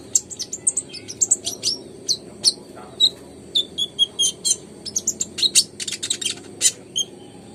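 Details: Energetic song of a konin (kolibri ninja), used to encourage quiet or stalled birds to sing. Dense, high-pitched twittering runs into quick trills and sharp chips, almost without a break.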